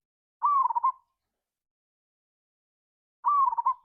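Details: Local zebra dove used as a lure to stir other doves into singing, in the ngayer kerot nutut style: two rolling, mellow cooing phrases, each starting with a bright rising note then bubbling trills, separated by nearly three seconds of silence.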